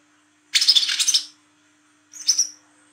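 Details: Olive-backed sunbird, a lure recording for trapping young birds, made at night: a dry, buzzy rattling burst of high chattering notes, then a short thin whistled note with buzzy edges after a pause.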